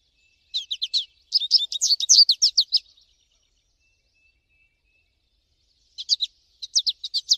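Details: American goldfinch singing in nature: two bursts of rapid, high twittering notes, a long jumbled run then a shorter stuttering phrase after a pause, clean quiet background.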